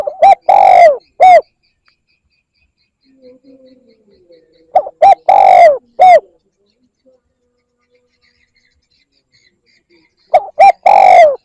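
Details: Spotted dove call used to lure birds: three phrases of soft, hollow coos, each two short notes, a long drawn-out falling coo and a clipped final coo, repeated about every five seconds with quiet gaps between.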